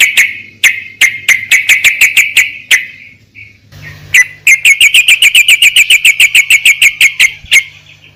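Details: Sooty-headed bulbul (trucukan) used as a lure sound for hobby birds: loud, sharp, clipped chip notes repeated rapidly in two long bursts, the second faster and steadier, with a faint low hum underneath.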